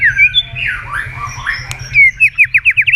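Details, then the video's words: Murai batu (white-rumped shama) lure song with sharp fills: sliding, whistled slurs and warbles, then a quick series of about eight clear, down-slurred whistled notes. "pancingan murai batu gacor"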